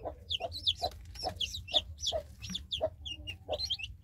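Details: A hen with five newly hatched chicks, searching for and calling her chicks, gives soft, low clucks about twice a second while the chicks' high, thin peeps chirp over them above a steady low hum.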